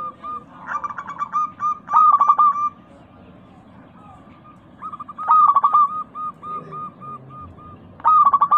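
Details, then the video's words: Local zebra dove with a clear, crystal voice, used as a lure to make kept doves sing. Three loud rolling coo phrases, each trailing into soft, evenly spaced notes. "Pancingan burung perkutut lokal gacor suara kristal paling ampuh."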